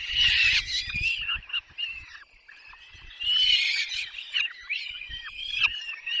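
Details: Peregrine falcon chicks begging while being fed at length at a nest in the Barycz Valley, Poland, on 6 May 2021; loud, harsh, wavering whines in overlapping bursts, with low dull knocks underneath.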